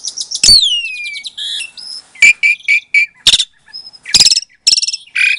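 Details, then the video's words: Captive-bred Asian pied starling from Klaten, Indonesia, recorded February 2022 as a lure to rouse silent starlings: a falling whistled slur, then bursts of buzzy chatter, repeated short mid-pitched notes and harsh rasping calls. "Suara Jalak Suren Pancingan, Jalak Macet Pasti Jadi Emosi Langsung Nyaut"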